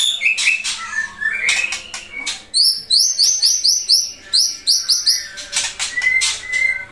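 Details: Captive Pasaman white-rumped shama from Indonesia, a loud-voiced bird with the rolling 'ngerol nembak' song style, kept as a vocal tutor for other shamas, delivering a varied run of sharp high whistles, rapid rising notes and clipped chirps.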